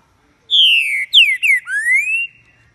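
A Green-winged Saltator gives a loud, rich phrase: a long falling whistle, two quick slurred downstrokes, then a rising whistled ending, with no other sounds.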